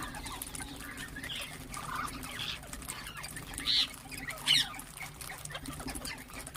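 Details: Ring-necked parakeets calling and chirping: a few scattered high chirps, with two sharper, brighter notes near the end, over a steady low hum and faint background noise.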